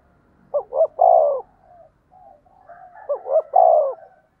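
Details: Decoy spotted dove calling to provoke rivals. Two low phrases of quick paired notes and a long burred coo come about three seconds apart, with faint soft murmurs and a slight background rumble between them.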